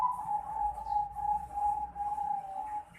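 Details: Young Bangkok zebra dove, 4.5 months old, calls in a run of clear, even, mid-pitched notes repeated about three times a second with little change in pitch.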